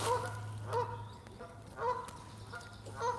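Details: Territorial Canada geese, two pairs quarrelling on a flooded riverside wetland near Montréal, Boucherville, 25 April 2026, calm chilly weather: loud honks in bursts roughly every second, brief gaps between, steady low hum underneath.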